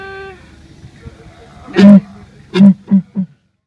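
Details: Dudu, a large male Southern ground hornbill (Bucorvus leadbeateri) at Moholoholo Wildlife Rehabilitation Centre, South Africa, booms all day, thought to call for a mate: one long low boom, then three shorter ones, after a brief tonal voice.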